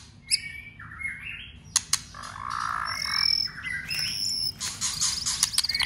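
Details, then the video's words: White-rumped shama during contest song training: scattered high whistles, a few sharp snaps and a low warbled phrase, with thin high tones later over a soft background. "Kích chòe Lửa lên lửa. chòe Lửa đập tạch liên tục.đập xoay kích lửa hót căng.luyện chòe Lửa hót đấu"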